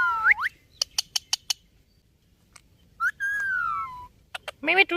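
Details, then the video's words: Ringneck parrot speaking: a hooked, wavering tonal phrase, four quick clicks, then a long, slowly falling whistled note and a rough, buzzy ending phrase. "Amazing Ringneck Talking Parrot"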